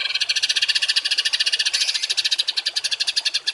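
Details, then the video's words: A songbird gives a rough, harsh, rattling trill of rapid high buzzy notes, about eleven per second, running on without a break, used as a training recording for other songbirds. "MASTERAN BURUNG TEMBAKAN KASAR || Suara Masteran kasar"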